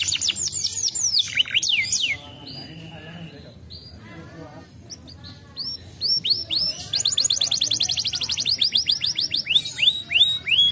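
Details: Canary song used to prompt other canaries to answer: fast descending whistled sweeps at the start, a pause with softer notes, then long rapid trills of repeated downward-sweeping notes.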